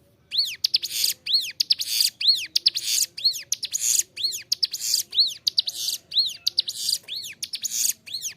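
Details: Bar-winged prinia in nonstop song for training captive birds: a regular series of arched whistled notes, each followed by rasping buzzy bursts, around one phrase per second over the whole stretch.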